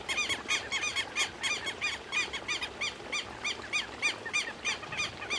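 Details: Fast, chattering run of grating notes from a Southern lapwing, steady and rhythmic, heard outdoors over faint background noise.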